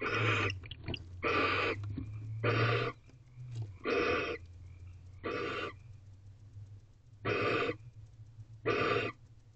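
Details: At a nest box before dawn on 4 April 2023, a wild male barn owl with his first owlet: seven rasping, noisy screeches in quick succession, each under a second, over a steady low hum.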